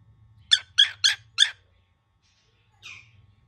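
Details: Angry young cockatiel gives four harsh, grating bursts in a fast row, then a pause and one softer, drawn-out rasping note.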